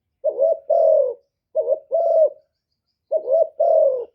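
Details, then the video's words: Low, mellow two-part coos from a decoy spotted dove meant to attract wild doves, three phrases each a quick note then a longer wavering coo, evenly spaced. "TIẾNG CHIM CU GÁY 1 HẬU RÒNG BỔI CỰC GHÉT, CU GÁY KÍCH BỔI CỰC CHẤT, TIẾNG TIẾNG CHIM MỒI, CU ĐẤT"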